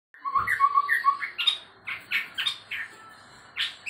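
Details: Chestnut-rumped babbler, known locally as tepus tunggir merah, said to sometimes sound like a white-rumped shama: a few low clear whistles, then a run of harsh, buzzy bursts repeated about every third of a second.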